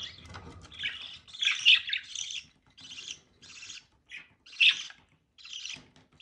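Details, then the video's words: Budgerigar pair during mating, producing repeated harsh, buzzy squawks and chattering warble phrases in short bursts separated by brief pauses, loudest near the middle. "Birds Mating/budgie mating"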